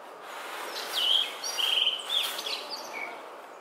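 A blue rock thrush sings a few clear, fluty whistled notes over about two seconds, some level and some slurred, against steady background hiss.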